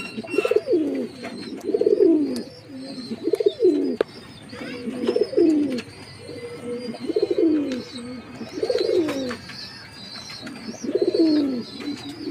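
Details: Jacobin pigeon cooing steadily: eight or so rounded, warbling low coos rising then falling, spaced roughly every one and a half seconds, over a backdrop of high chirping from other birds.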